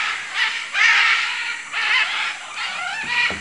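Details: Brief spell of raspy, squawking calls from macaws in Manu, Peru, several broad bursts in quick succession with a faint low knock at the end.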